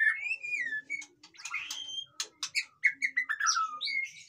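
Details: White-rumped shama song intended to excite idle caged shamas: sliding whistled phrases, then a string of sharp high clicks and chips, ending in loud varied whistles rising and falling.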